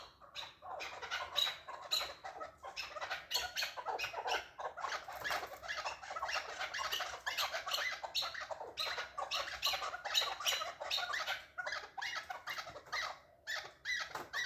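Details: Chukar partridge giving a long, dense rattle of grating chuk notes in fast bursts, repeated over and over with brief gaps and barely pausing.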